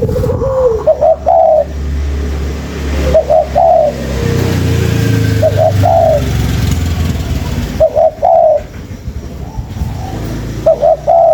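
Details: Spotted dove call used as a bird-trapping lure: short rising cooing notes near the lower-mid range in bursts about every two to three seconds, over a steady low rumble like an engine or fan.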